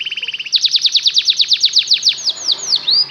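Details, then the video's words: Belgian canary song meant to lure canaries into learning to sing: a quick low stutter, then a steady series of bright descending whistles slowing into a few spaced upward-curving notes. "LONG CANARY SOUND || EMOTIONAL CHANNELING EFFECTIVE to lure canaries to learn to sing"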